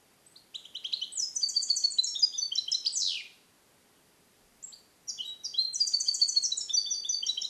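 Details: A captive-born male European goldfinch, hatched 2021 and song-trained on Neapolitan-style passages, sings from a small carrier cage: bright, tinkling phrases of rapid high twitters and trills, pausing briefly before resuming; no other sounds intrude.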